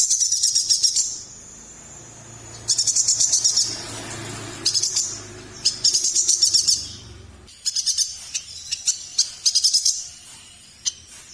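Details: Chestnut-crested yuhina from Borneo (Kalimantan), likely a kept songbird, giving high, thin, rapid chattering bursts of trilled notes, each burst lasting about a second, separated by short pauses.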